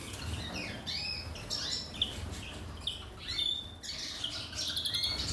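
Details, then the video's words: Captive-bred European siskins eating worms in Gozo, Malta, give thin, high twittering and wheezy notes in scattered bursts every second or so, over a low rumble of background noise. "European Siskin"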